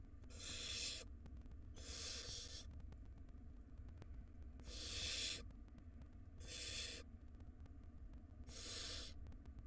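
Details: Wild barn owl nestlings in a monitored nest box, fed by their mother; harsh broadband hissing screeches about half a second to a second long, five in ten seconds, over a steady low hum.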